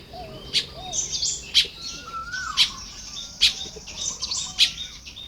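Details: Baya weavers building nests at dawn in Lopburi, Thailand, in early May: sharp high chips about once a second amid busy buzzy chatter, plus a soft falling whistle.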